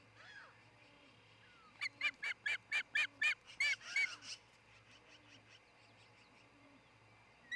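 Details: Osprey at its nest in Charlo, Montana, early morning of 26 June 2018, captured by nest cam: a fast series of about ten chirped whistles over steady background hiss and low hum.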